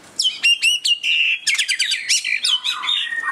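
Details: White-rumped shama display song: bright, ringing whistled notes followed by a rapid chattering burst of metallic chips and a lower closing whistle.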